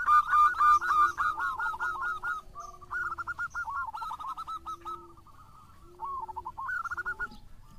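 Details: Local Zebra Dove singing strongly, pouring out long runs of fast, staccato, bubbling coos that fade and return, with a low, drawn-out coo sounding several times beneath.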